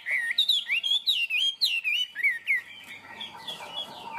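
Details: Tame Chinese hwamei, described as a good singer with a high-pitched 'cao cầu' singing style, perched on a peach-wood perch close to the camera, giving loud, clear whistled notes that rise and fall in a rapid run before fading.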